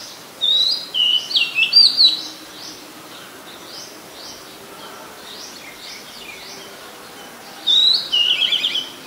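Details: Oriental magpie-robin, a very common resident, singing in Ubon Ratchathani, Thailand, on 17 July 2022, recorded on a Nikon P1000: two bursts of loud, clear whistled phrases with sliding and warbled notes, separated by quieter, distant chirps in a faint rural background.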